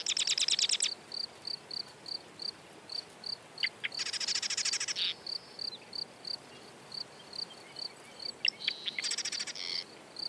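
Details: Three rattling marsh wren songs, each a rapid buzzy trill, some led by sharp ticks. Regular short high pips, about three a second, fill the spaces between songs.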